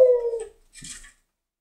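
A laughing dove gives one soft, low, hollow coo that sags slightly in pitch over half a second. A brief dry rustle follows.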